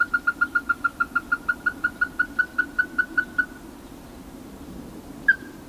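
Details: Ruddy-breasted crake (Zapornia fusca), heard but not seen, recorded 12 April 2021: about twenty hard, knocking notes evenly spaced at roughly five per second, then one last note after a pause, over a low steady hum.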